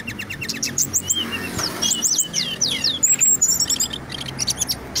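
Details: Brown-chested jungle flycatcher, a local Indonesian songbird, in nonstop rolling song: quick series of short high chirps and curved whistled notes, followed by a steady high trill and more rapid chip notes over a faint background hum.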